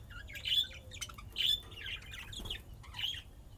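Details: Pet budgerigars playing, from Austin, Texas, USA: short bright chirps and warbled notes in bursts about a second apart, with quieter chatter between and low background hum.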